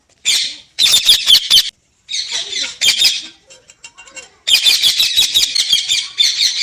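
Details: Parrot uttering repeated harsh, rasping squawks in rapid pulsed bursts separated by brief pauses.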